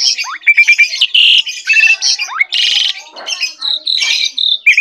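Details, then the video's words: Jalak suren, Asian pied starling, singing gacor style: dense scratchy chatter mixed with sliding whistles and harsh squawky bursts, a busy unbroken medley of varied high notes. "jalak suren gacor"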